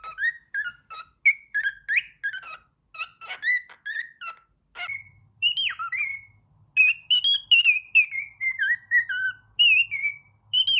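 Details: Pet parrot singing and talking in a room, a long string of whistled notes and squeaks, later gliding phrases that climb then slide gradually downward, with a faint low hum in the background.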